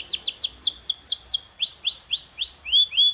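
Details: Canary singing slurred high notes, first falling and then rising, about four a second, ending in clear whistled tones.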